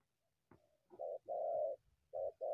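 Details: Wild spotted dove coming out of the bushes toward a decoy bird; a few low hollow coos, a short note followed by a longer drawn-out one, with a faint rustle before.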